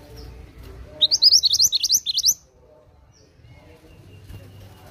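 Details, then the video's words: An Oriental magpie-robin in full voice delivers a burst of about ten sharp, rising whistled notes in quick succession. Soft low background noise follows. "BURUNG MANTENAN GACOR!"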